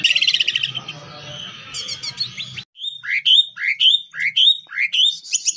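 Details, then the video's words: Greater green leafbird, a champion songbird, in a full-isian masteran: a noisy, trilling jumble over a low hum, then a clean series of rising whistled notes, each about half a second apart. "Masteran Cucak Ijo Full Isian Burung Juara"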